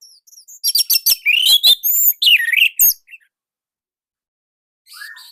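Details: Indonesian orange-headed thrush with a loud, compact song. A fast string of sharp ticks flows into rich warbled whistles that dip and rise, then stops, with a faint soft note after a pause.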